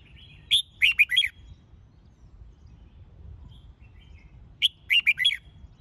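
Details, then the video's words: Bulbul song for competition training, the red-whiskered bulbul stirring young birds to sing: two bursts of three or four rapid, chirpy whistled notes, about four seconds apart, over a faint low rumble. "Tiếng Chào Mào Dìu Bổi Lên Lửa !..Luyện Chào Mào Hót Đấu"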